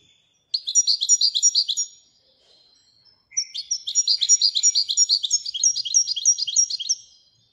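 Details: Widaniya-style song of a Moroccan European goldfinch: two rapid rolling runs of high, bell-like repeated notes, a short pause between them, the second run longer and steady.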